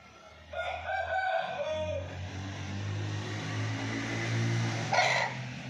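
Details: Rooster crow, murga ki bang: a wavering, multi-toned crow lasting about a second and a half, followed by a steady low engine-like rumble and a brief sharp noise burst near the end.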